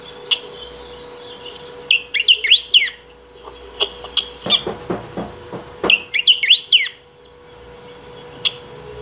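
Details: Picahueso, or saffron finch, in long continuous song used for calling or training: two rapid phrases of swooping up-and-down whistled notes, separated by a rattling run of clicks, against a faint constant hum.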